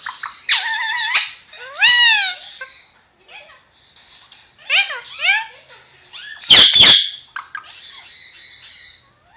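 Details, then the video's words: A Pakistani ringneck (rose-ringed parakeet) talks, chattering in short, nasal, word-like phrases with bright rising and falling syllables and one harsh screech near the end. "Ringneck Parrot Talking"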